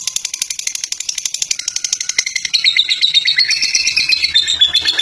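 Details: Kept fighter lovebird delivering long ngekek song: fast ticking pulses at first, then a continuous shrill buzzing chatter sliding slightly downward, loud and unbroken, with faint low background hum.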